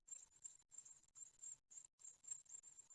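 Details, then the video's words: Great tit nestlings on their ninth day, being fed at the nest in Ostwald, 15 June 2020: thin, very high hissing calls in irregular bursts with brief silent gaps, fairly quiet overall. "Séquences nourrissage (9ème jour) - 15/06/2020 - Les Mésanges Charbonnières d'Ostwald"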